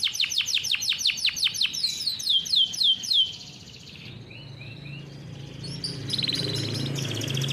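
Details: Farm-bred canary singing a rolling training song for young canaries; a rapid series of descending sweeps and chirps fades after three seconds, leaving quieter distant twitters and a soft buzzing trill against low background noise.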